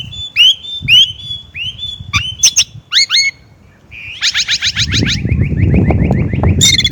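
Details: Chinese blackbird song of varied whistled upslurs and sharp chips, then a fast rattling series flowing into a sustained warble, against a rising rumble of background noise.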